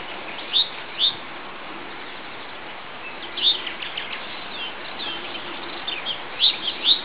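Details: Rock bunting at the edge of a riverside grove where it meets wooded farmland, giving thin, high, very short 'tsi' notes, singly or in quick pairs, scattered over several seconds above a steady soft background hiss.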